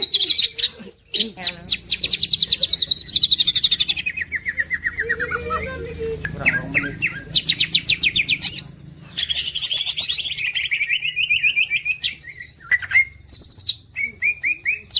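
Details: Green leafbird, a champion masteran songster, pours out a long medley of dense high trills, sweeping whistles, sharp clicks and chattering bursts, with short pauses between phrases.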